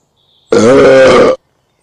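Common snipe drumming: a single buzzy, bleating hum of just under a second, steady and mid-pitched, starting and stopping abruptly, with nothing else heard.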